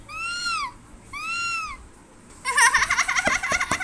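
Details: Pet talking parrot indoors giving two clear arched whistles, each rising then falling, followed by a rapid, buzzy warbling chatter with quick pitch wobbles and a few sharp clicks near the end.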